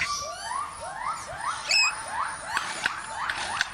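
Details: Forest lyrebird copying heard sounds with a fast series of rising slurred whistles, about three per second, over a rough hissing background with occasional clicks.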